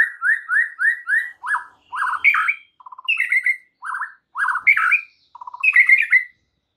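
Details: White-rumped shama song meant to provoke rival shamas, with repeated slurred whistles, rich warbled phrases and short low rattling trills, delivered in varied bursts.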